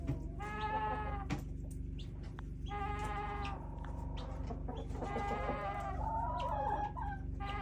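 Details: Strange sounds from a backyard flock of chickens: several long, nasal, flat-pitched calls in sequence, the last wavering and rising, with scattered scratches and a persistent low hum.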